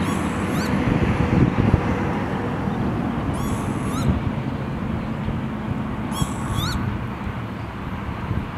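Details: Northern lapwing recorded near Ankara, Turkey, on 17 April 2017: three short, wheezy, upward-sliding calls spaced about three seconds apart, heard over a heavy, steady low rumble of background noise.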